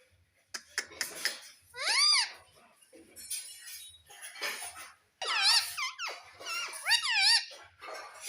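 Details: Pet ringneck parrot talking indoors, the bird's word being "mummy": noisy chatter broken by paired arched, up-and-down harmonic notes repeated in short clusters.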